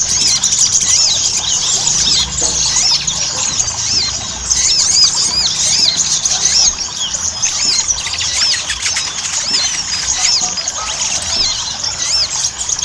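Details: Ruby-cheeked sunbird, called sogon, in a long chattering lure sequence to make birds sing. Many thin, arched, high squeaks and twitters pour out continuously, overlapping, against steady hiss.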